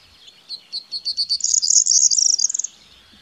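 A corn bunting sings its brief song: a few separate high ticks that speed up into a dry, jangling, glassy rattle, like a bunch of keys shaken.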